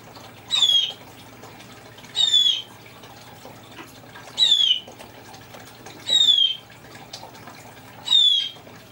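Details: Congo African grey parrot mimicking a blue jay: five harsh, slightly descending squeaky calls spaced about every 1.5 to 2 seconds, clear against a quiet background with faint low hum.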